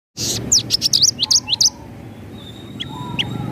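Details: Javan bush lark in energetic 'gacor' singing, rolling 'ngerol' style with sharp 'nembak' notes, used as a tutor recording for pet birds: a quick burst of high, sharp whistled chirps that fades out, over a low steady hum.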